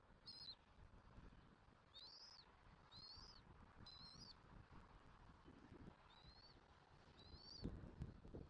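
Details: Bald eagles at a nest in Southwest Florida, seen on a nest camera on 06/01/2024 while feeding their chick. Six thin, high whistled notes, each arching up and then down, come about once a second over a low, steady background rumble.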